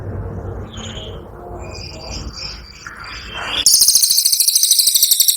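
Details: Brown cililin giving its 'tembakan' burst: after soft scattered chirps and background murmur, a sudden loud, high, fast rattling trill of sharp repeated pulses runs to the end.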